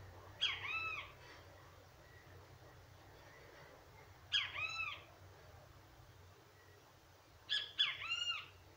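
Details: Great kiskadee heard in three loud phrases of arched, slightly raspy harmonic notes, each phrase spaced about three and a half seconds apart, over a steady low background hum.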